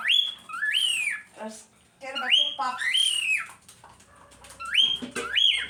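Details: Cockatiel, a pet bird, bobbing its head while chattering: harsh rising-then-falling screeched calls given in pairs, roughly every two seconds, with a person talking softly in between.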